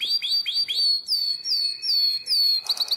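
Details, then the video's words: Canary of the nightingale-voiced song style from Drama, Greece, 2017: a run of quick clipped notes gives way to slower, drawn-out descending whistles, then closes with a burst of fast sharp chirps. "Αηδονόφωνο Καναρίνι"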